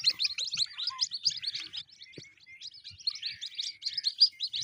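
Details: White-breasted waterhen chicks that have been caught by hand, giving a dense run of high, thin, overlapping chirps and peeps, several sounding at once with almost no gap, plus faint low knocks underneath.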